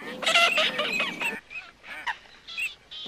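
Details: Coot giving a loud harsh burst of overlapping honks, followed by a few softer spaced nasal notes.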